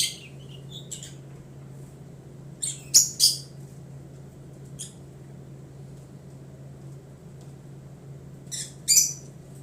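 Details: Budgerigars singing indoors, heard as scattered short, sharp, high chirps in clusters around three and nine seconds, with quiet gaps between them and a steady low electrical hum underneath.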